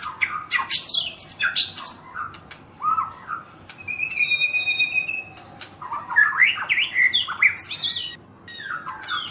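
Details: Champion White-rumped shama from Thailand in full song: rapid harsh high phrases, a steady held whistle in the middle, then more tumbling warbled notes and chatter.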